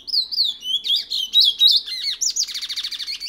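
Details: Picolette, a seed finch prized across South America, singing its French Guiana Matiti regional song: continuous quick slurred whistles that build into a dense rapid trill by the end.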